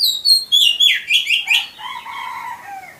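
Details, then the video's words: Oriental magpie-robin (kacer) master song used to train caged birds: loud whistled slurred phrases and rasping notes sliding down, followed by softer lower warbled notes over about three seconds. "Pancing dengan Suara Masteran ini, Kacer Kamu Pasti Jadi Gacor!"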